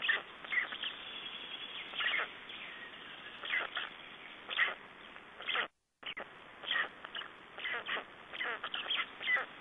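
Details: Black storks at their nest in Estonia, 3 June 2011, during a changeover and feeding: scattered rasping pulses and short chattering runs are heard, with a brief silent break near six seconds.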